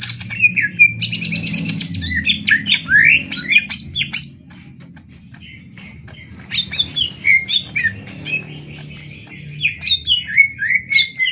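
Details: Caged greater green leafbirds in a singing contest, Banyuwangi versus Kalimantan birds: rapid bursts of varied whistles and chattering notes sweeping between high and mid pitch, a short pause mid-clip, then more rising and falling whistled phrases.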